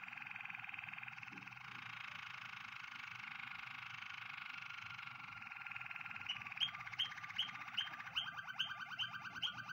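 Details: Waterslager canary song: a long continuous buzzy rolling trill, shifting into a series of quick repeated chirped notes toward the end, set against a quiet low hum.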